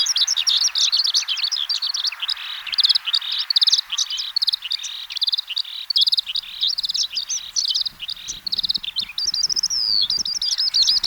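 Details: Eurasian skylark spring-to-early-summer song: a fast, unbroken stream of high chirruping and trilling notes with brief buzzy slurs and rising whistles, and no other sounds.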